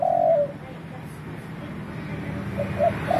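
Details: Spotted dove cooing: a drawn-out, gently falling coo opens, then after a pause a few short soft coo notes lead into another long coo, with quiet low-pitched background noise throughout.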